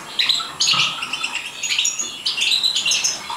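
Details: Captive European goldfinch from a breeding setup in Morocco: bright, high twittering in quick bursts, with scratchy chirps and short pauses between phrases over about three seconds.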